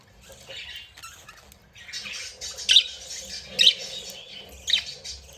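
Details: Playful, happy budgerigars chatter in a scratchy warble, broken by three loud sharp chirps about a second apart.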